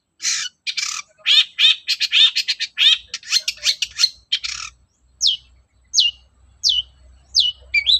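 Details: Long-tailed shrike morning song used as a lure to stir other shrikes into singing: loud harsh chattering phrases, then single downward-slurred whistles spaced about every 0.7 seconds, with faint low rumble.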